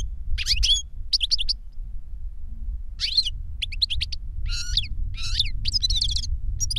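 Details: Older goldfinch singing to a younger goldfinch in bursts of quick, high, liquid twittering with some rasping notes, separated by brief pauses, over a low rumbling background.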